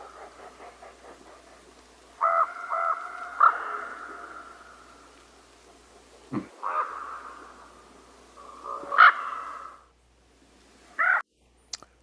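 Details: A Common Raven opens with a quick knocking rattle, then gives several deep, hoarse croaks and hollow notes at uneven gaps, slower and deeper than crow calls, each with an echoey ring.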